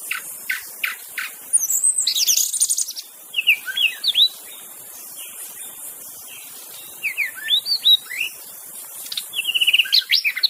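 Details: White-rumped shama in the wild, song used to lure other shamas: varied whistled and slurred notes in lively bursts separated by pauses, a harsh rasping passage early on, continuous high insect buzz in the background.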